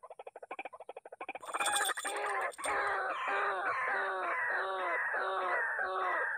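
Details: White-breasted waterhens disturbed by a loud MP3 decoy, calling back angrily. Harsh croaking notes with ringing overtones repeat about twice a second. They start as a quick stutter, then grow louder and steadier after a brief burst of hiss.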